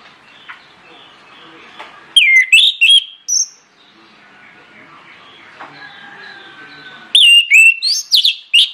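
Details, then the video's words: ['Orange-headed thrush lure song to get other birds singing: two bursts of loud, twisting whistles separated by several seconds of faint background chatter.'] "PANCINGAN ANIS MERAH NGEPLONG NGOTOT YANG LAIN AUTO NGIKUT"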